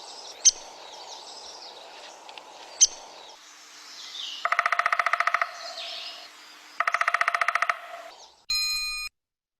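Downy Woodpecker: two sharp single pik notes, then two rapid rattling whinnies that fall in pitch, about a second each. A brief electronic beep ends it.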